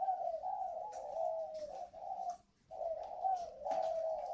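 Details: Decoy spotted dove, a wild-caught bird only recently tamed a little, from a dove aviary in Ba Vì, Hanoi, Vietnam, giving its calling coo in the whistle-voice style: long, low, mellow hooting phrases with a short pause midway.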